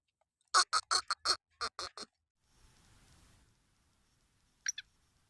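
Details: A black francolin gives one quick burst of about eight rasping, evenly spaced notes. A soft rustling follows, then two brief sharp notes close the recording.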